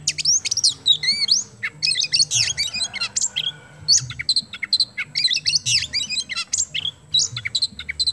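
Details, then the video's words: Kemben-type Oriental magpie-robin in full, lively song meant to stimulate other birds; bursts of sharp, high whistles and chattering notes come in quick phrases about half a second apart, with short gaps between them. "KACER KEMBEN GACOR MAKSIMAL UNTUK PANCINGAN"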